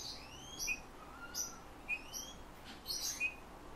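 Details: Eurasian bullfinch taught to sing by its owner, which copies its trainer's whistling and also takes phrases from nightingales and thrushes: quiet, sparse short notes, some gliding up or down, high-pitched, over a steady background hiss.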